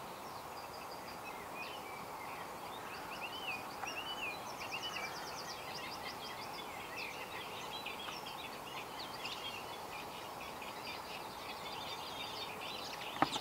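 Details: A male linnet at Bicester, 5 June 2012, gives light, quick twittering notes with short buzzy trills, loudest midway, over a steady hiss of wind.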